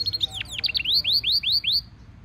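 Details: European goldfinch mule (hybrid) training song phrase: a quick tangle of twitters, then a series of about six arched, rising-and-falling whistled notes at a steady pace, ending abruptly.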